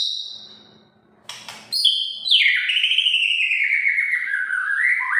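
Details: White-rumped shama singing to provoke other shamas into song: a high whistle, then loud, continuous rich phrases sliding downward and warbling between high notes, with a brief rattle near the start.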